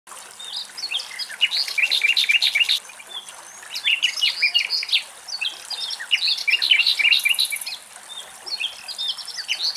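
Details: Common Nightingale singing in Greek nature at morning: rapid varied phrases of sharp whistles, chirps and trills in bursts with short pauses, several birds overlapping, a high buzzy note near the end.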